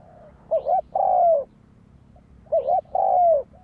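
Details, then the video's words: Two spotted dove phrases two seconds apart, each a rolling double coo then a long, smooth, slightly descending coo, with brief soft notes trailing after. "Tiếng chim cu gáy kích mồi cực sung"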